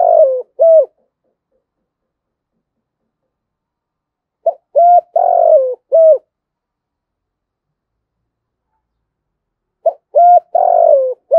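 Spotted dove giving low, hollow coos in short phrases of two to four notes, repeated about every five seconds, with silence between.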